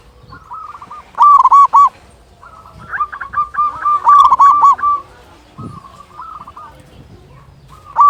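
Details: Local zebra dove used to provoke other doves into song: loud, harsh bursts of rapid clipped coos alternate with softer, steadier strings of short notes, ending with one more loud phrase.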